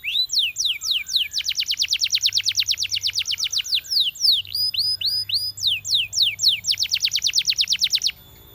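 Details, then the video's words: High, bright song of a Belgian canary urging companions to sing: long fast trills of repeated falling notes alternating with slower rising whistles and scattered chirps, ending abruptly. "Belgian Canary Seducing Friends to Sing!"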